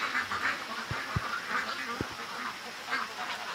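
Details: Domestic ducks call early on a rainy September morning, around 4 o'clock, loud enough to wake a person. Scattered nasal quacks rise over a steady hiss of rain, with a few low thumps.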